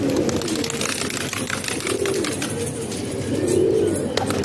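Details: Pigeons kept in a house in Pakistan, low murmuring coos swelling near the end, with scattered wing flutters and scraping noises.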